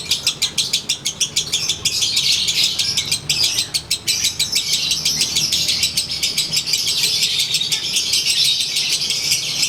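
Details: Kept lovebird of the konslet type, set out to sunbathe, giving its daily ngekek: a dense, rapid chatter of high, buzzy pulses, about three per second, running on without a break for the whole stretch.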